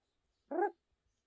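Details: A talkative pet Amazon parrot, indoors, gives a single short voiced utterance with stacked harmonics, like a spoken word, lasting about a quarter second in an otherwise quiet room.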